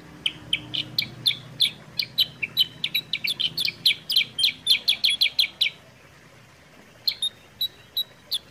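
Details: Kutilang sutra (sooty-headed bulbul), a clear, spirited recording for prompting and tutoring kept birds: a dense fast run of high chirps for several seconds, a short silence, then a few spaced chirps.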